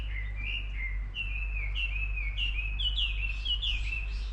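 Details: A bird chirps steadily, with repeated falling, slurred whistles about three or four per second, some doubled, over a low constant hum.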